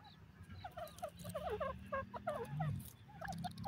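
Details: Partridge calling in a forest: a busy run of short, rising and falling chirped notes repeated rapidly, with a steady low hum of background noise.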